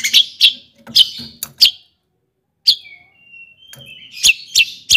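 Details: Long-tailed shrike singing to provoke other shrikes: a few sharp high chirps, a pause, then a thin level whistle and more scattered bright notes.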